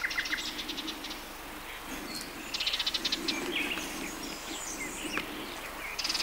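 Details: Rapid ticking rattles of a Sardinian warbler, June 2011, Matarraña riverside woodland, broken into several short bursts and mixed with varied whistles and chirps from other birds in the background.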